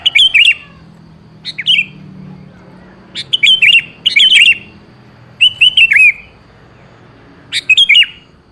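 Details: Lure recording of a sooty-headed bulbul meant to get a quiet bird to reply: short, lilting whistled phrases spaced one to two seconds apart over a quiet background.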